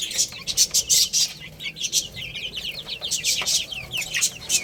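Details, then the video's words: Little chicks playing and eating: a quick run of sharp pecking taps, then many high falling chirps overlapping densely, the peeping carrying to the end. "Cute Little Chicks Chirping Sounds| Baby Chicken Playing and Eating"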